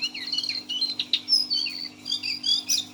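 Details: Six-month-old caged lesser shortwing in 'teler' singing style, giving a quick jumble of high chirps and short whistled notes, some twisting up and down, over a faint constant electrical hum.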